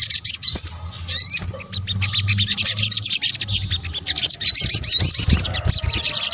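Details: Sunbird calls, known locally as sogok ontong in Indonesia, used as a lure: high thin chirps and rising whistled slurs, dense and overlapping, with low rumbling background noise.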